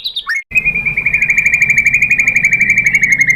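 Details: White-rumped shama heard in a lure recording meant to provoke other shamas into singing: a brief chirp, then a long, fast, even trill of buzzy repeated notes that sinks gently in pitch.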